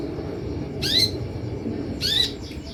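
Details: Sunbird calls used to provoke kept sunbirds into answering: two loud, sharp, downward-slurred chirps over a second apart, set against a steady low rumbling background noise.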